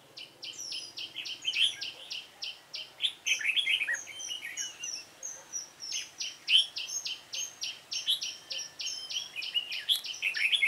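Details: Dark-bibbed red-whiskered bulbul heard while being trapped, 28 February 2017: steady series of sharp, clipped chirps at about four per second, broken by tumbling warbled phrases, continuing throughout.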